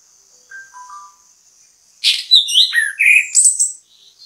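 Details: Orange-headed thrush (anis kembang) singing as bait to make others join in: a few faint soft whistles, then a loud, varied phrase of sliding whistles and sharp high notes lasting about two seconds.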